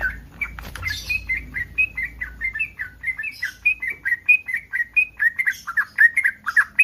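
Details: Yellow-vented bulbul in breeding condition, a call meant to provoke other bulbuls into answering: a fast run of short bubbly notes around the upper-middle register, rising and falling slightly, repeated steadily for seven seconds.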